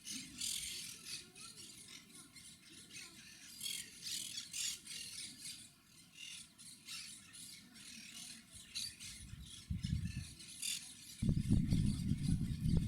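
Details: Monk parakeets, also called Quaker parrots, recorded on a Panasonic HC-WXF990 camcorder: a dense run of harsh, grating squawks repeating several times a second, with low wind rumble and heavy thumping near the end.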